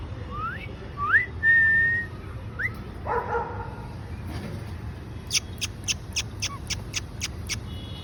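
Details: A male cockatiel gives quick rising whistles and a held note, then a run of sharp smacking kiss sounds.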